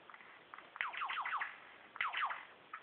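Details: Mimicking male superb lyrebird behind bushes, whose repertoire includes a laser gun, kookaburra, whipbird, whistlers and magpies. Quick series of steeply falling, zapping notes in two bursts, with a few soft chips around them.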